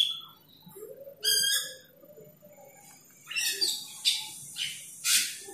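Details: An Asian glossy starling calls to a rival with a clear high whistle, then a rich harmonic note, then a run of raspy, noisy bursts in quick succession.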